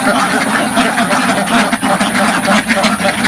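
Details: Dozens of ducks in a rural farm pen, heard at no distance; a constant rough din of layered quacks, pulsing irregularly, over a faint steady hiss.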